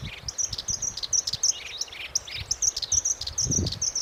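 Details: Black-browed reed warbler singing steadily: very high, sharp chirps and rattling notes repeated rapidly, about three per second, mixed with lower scratchy phrases; faint low rumble in the background.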